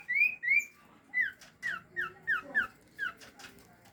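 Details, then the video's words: A common iora lure meant to get birds replying at night: two rising whistled notes, then a string of five or six short falling whistles about one every half second, with faint low background noise. "pancingan burung sirtu atau cipaw gacor di malam hari di jamin nyaut"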